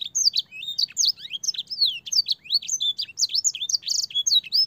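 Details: Canary master song for teaching young canaries, with inserted blackthroat and sanger phrases: an unbroken stream of quick, high, sweet whistles, swoops and short rattling trills, with no pause throughout.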